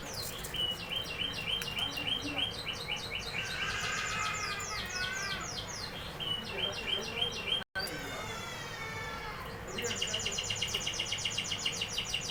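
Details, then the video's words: Canary singing fast rolling trills of high, ticking notes, shifting into lower warbled phrases midway, then a dense buzzy trill near the end; a faint steady background hum throughout. "canary singing"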